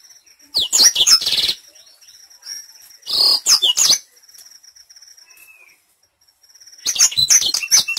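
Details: Black-throated canary singing as a training lure: dense bursts of high, warbling twitters and trills with fast sweeping notes, a steady faint high tone running beneath, pauses between phrases.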